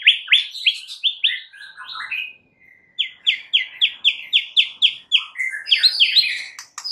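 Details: Lure song from a champion white-rumped shama, meant to provoke rivals into singing. It opens with a rapid series of rising whistled notes, pauses briefly, then gives a fast repeated chip series of about four notes per second before varied trills.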